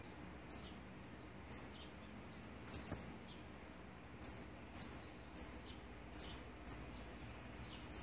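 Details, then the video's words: Olive-backed sunbird feeding its young on the sixteenth day of nest feeding, 3 October 2019; very high, sharp chirps repeated irregularly, about ten in eight seconds, some doubled, over a quiet background. "นกกินปลีอกเหลือง (Olive-backed Sunbird) ป้อนอาหารวันที่๑๖"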